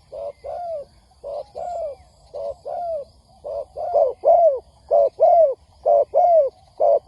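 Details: Spotted dove calls meant to lure wild doves for trapping; soft coo pairs that grow louder partway through, each closing with a downward-bending note, repeated about once a second.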